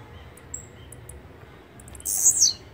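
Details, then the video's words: Blue-black grassquit song: a single short, harsh buzzy burst, very high-pitched and sliding steeply down at its end, over quiet background with faint thin whistles of other birds and soft low rumble. "Canto de Chirrio (Volatinia jacarina)"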